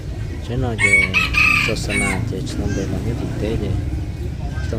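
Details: Young red junglefowl of an F2 line, recorded 23 December 2025, giving a single loud, harsh crow lasting about a second, its rough tone rising and then held. A man talks over it before and after.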